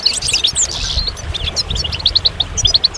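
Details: Goldfinch song: rapid high twittering with short slurred and ticking notes, several tight bursts of chattering phrases in quick succession, busy and bright throughout, with a faint low rumble underneath.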